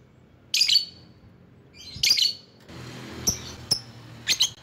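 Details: Lovebird used as a lure to call rivals: three loud, shrill, high chirps spaced about a second and a half apart, followed by two short sharp clicks and a final rough squawk, over a low hum.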